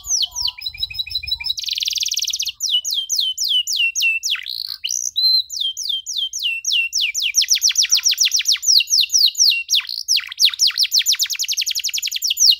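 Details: Caged canary singing, a long song meant for young canaries to learn from: fast trills of downward-sweeping whistled notes, a buzzy rattling burst early on, then rapid repeated chirps running about three or four per second.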